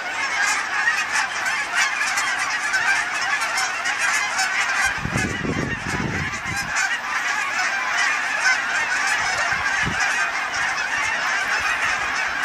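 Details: A large flock of Canada geese migrating south overhead, recorded from a balcony: a dense, continuous chorus of overlapping honks with many birds calling at once throughout, plus a brief low rumble midway.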